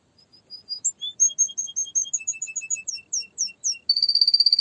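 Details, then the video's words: Canary singing a rapid run of high twittering chirps at shifting pitches, then several falling sweeps and a fast, buzzy trill to finish. "Canary singing"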